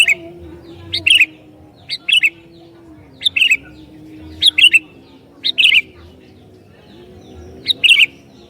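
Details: Energetic sooty-headed bulbul song used to lure and provoke other bulbuls; seven quick liquid phrases, each a bright upslurred note then a rolling twitter, repeated irregularly every second or so against a soft low drone.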